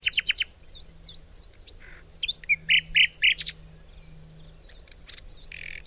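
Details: Birds singing outdoors: high, rapid chirps and short whistled notes from several voices overlap, with quick trill bursts and buzzy phrases, leaving little pause between them.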